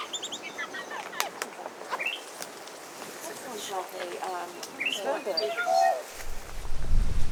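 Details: A tui on Tiritiri Matangi island, New Zealand, in winter sings a varied jumble of ringing whistles, sharp clicks and quick warbled phrases with constantly shifting pitch; a man talks alongside, and a low rumble builds at the end.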